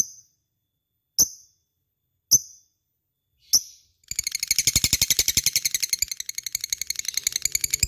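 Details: Lovebird calling as a lure for other birds: four separate sharp high chips spaced about a second apart, then an abrupt burst of dense, rapid, buzzy chattering.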